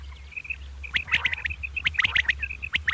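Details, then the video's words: Common quail, double 'kirk karkar' morning call: rapid high clipped notes run together with sharp scratchy clicks and rasps, over a low background hum. "Common Quail Calling Batair Ki Awaz | Suba Batair Lagty Waqte Ki Awaz | Double Batair kirk Karkar"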